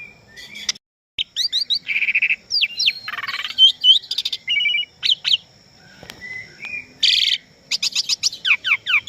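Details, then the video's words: Asian pied starling singing in full voice, a training recording for captive birds: a varied jumble of sharp whistled upslurs, harsh buzzy chatters and rasping bursts, with short pauses between phrases. "SUARA BURUNG JALAK SUREN GACOR FULL ISIAN BAGUS UNTUK MASTERAN DAN PANCINGAN JALAK"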